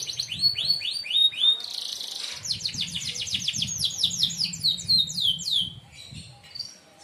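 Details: 'Tembakan tajam' song of a merlok canary, used as a tutor for other birds: quick series of curved whistled notes, a brief harsh buzz, then more rapid descending notes fading out, over a low background hum.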